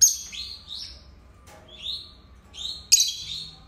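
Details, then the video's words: Two pet lovebirds singing: high, sweeping chirps that slide down then up, given in short separate bursts with quiet gaps, ending in a loud, harsh buzzy note. "Canto dos Agapórnis"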